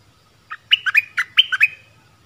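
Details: Streak-eared bulbul sings a brisk phrase of about seven clipped, chirping notes that jump between two pitch levels, with a faint low hum underneath.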